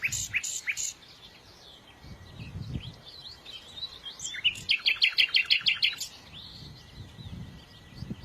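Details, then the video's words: Birds singing: a few loud high chirps at the start, soft twittering, then a quick trill of about ten sharp notes in the middle, over a low background rumble. "إذا كنت تعشق سماع تغريد العصافير"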